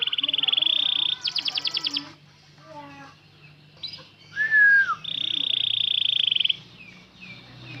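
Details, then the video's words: Canary in long-roll song: a sustained rapid high trill, a run of rattling sweeping notes, soft twitters, a loud slurred whistle that falls away, then another long buzzing trill and a few quiet chirps. "Kenari roll panjang"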